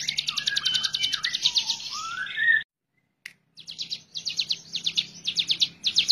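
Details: A Hill Prinia in full song, suited as a tutor recording, gives rapid, high, dry chipping trills in quick bursts, with lower sliding whistles early on and a brief silent gap midway.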